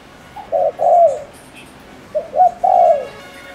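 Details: Decoy spotted dove from Ninh Thuận, Vietnam, calling to excite male doves: two phrases of a faint lead note, a short coo and a prolonged falling coo, separated by about 1.7 seconds, faint chirps in the background.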